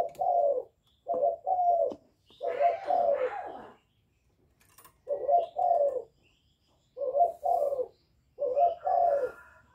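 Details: Calling and bowing coos from a young spotted dove, used to stir up wild doves: deep, paired hoarse coos in groups separated by a silent stretch, with a brief broader rough phrase near the start.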